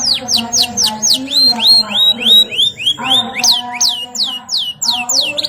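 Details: Canary singing energetically in captivity, delivering repeated high downward-sweeping whistled notes, about three per second, in varied phrases with brief rolling passages, loud and clear over a quiet low hum.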